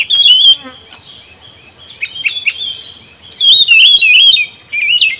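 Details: Bulbul answering a lure during trapping: a brief whistled phrase, soft chirps, then a longer bright wavering warble, with a constant thin high tone behind.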